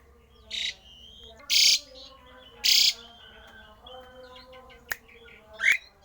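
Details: Rare strange song of a Javan pied starling, aimed at getting other starlings to sing: short hissing bursts, two long loud rasps about a second apart, a click and a final rising squawk.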